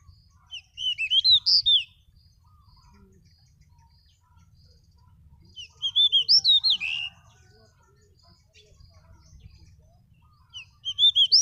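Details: A pied bushchat in Pakistan sings short, sweet, whistled phrases of quick rising and falling notes, repeated about every five seconds, with faint low background rumble.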